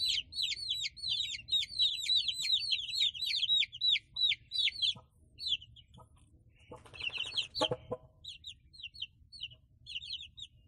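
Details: Small village chicks peeping continuously: rapid high, downslurred cheeping notes tumbling over one another, loud at first then thinning out, with a brief rustling scrape in the middle.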